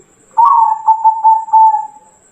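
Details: Training song of a local Bangkok zebra dove, played so other doves start singing: a soft opening roll, then a chain of short rounded coos merging into a long level hum that trails off after about two seconds.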